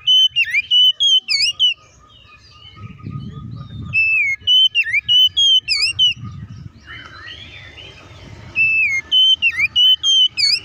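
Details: Oriental magpie-robin, a lure for provoking rival magpie-robins, sings short runs of bright whistled notes with sharp dips and rises, repeated in three bursts; low rumbling background noise fills the gaps between phrases.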